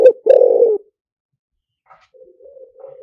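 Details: Spotted dove decoy coo in liw tan style: a quick low note and a longer rolling croo, followed by faint soft cooing from another dove.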